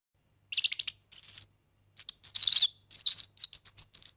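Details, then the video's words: Organeli, the European serin, singing for the tutoring of young birds: rapid, high, jangling buzzy trills in four tight bursts, each sputtering and dense, separated by brief gaps. "ΦΩΝΕΣ ΑΠΟ ΟΡΓΑΝΕΛΙ EYROPEAN SERIN"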